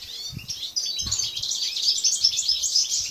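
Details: Aviary-kept European goldfinches, subspecies balcanica, recorded 13 June 2014. Busy stream of high, bright twitters and chirps, rapid and unbroken, with faint low knocks in the background.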